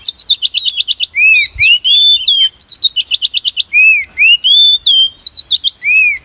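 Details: Female Oriental magpie-robin calling as a lure to draw wild birds into traps: loud varied whistles, arched slurred notes and fast, even trilled bursts of clipped notes, delivered in quick, restless phrases with no other sounds.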